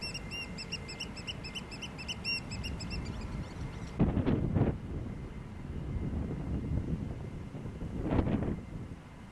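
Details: A Eurasian Oystercatcher (Haematopus o. ostralegus) gives rapid, high, piping notes in a quick even series for about three seconds, over low wind rumble with a few dull thumps. Recorded in August 2011 at Terneuzen, Netherlands.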